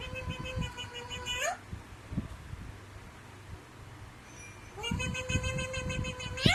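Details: Alexandrine parakeet copying a cat's meow: a level nasal call that ends in an upward twist, then a gap of soft knocks and rustles, then another long meow-like note with handling thumps beneath it.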